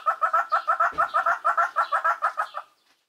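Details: Ground hornbill chick calling for its parents, Skukuza, Kruger National Park: a quick string of about fifteen rhythmic, nasal two-part hoots that ends abruptly, with one low thump partway through.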